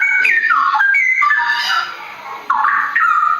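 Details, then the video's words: Straw-headed bulbul (cucak rawa), a forest bird, singing in the rich rolling 'ropel' style: loud, mellow warbled phrases that slide and bubble up and down, broken by short pauses, with several notes each second. "Cucak rawa cucak rowo suara mewah ropel hutan nggulung"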